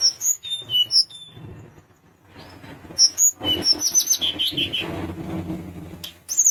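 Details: Sunda minivet in active, persistent song meant to provoke rival birds into singing: thin high whistled notes, some sliding downward, delivered in scattered bursts over a background of low rumbling noise.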